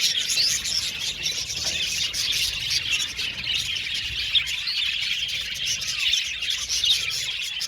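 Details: Budgies in an aviary colony chirping and singing, an overlapping chorus of squeaky twitters and short calls, dense and continuous.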